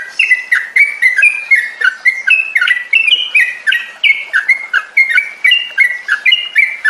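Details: Trucukan lure song for therapy of caged Yellow-vented bulbuls that stop singing: rapid, rich warbling of slurred, rising and dropping whistled notes in an unbroken, lively run.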